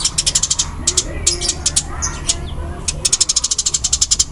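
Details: Eurasian tree sparrow of the 'tarung' fighting type giving fast, loud, dense calls. Very high, sharp chips run in quick bursts, with a short pause in the middle, then a rapid even series at the end.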